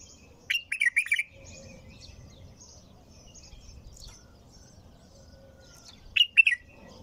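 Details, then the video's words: Nonstop bulbul song: a quavering phrase of several looping notes near the start, a long quieter stretch with scattered high chirps, then a second similar phrase near the end. "تغريد بلبل طور بدون توقف"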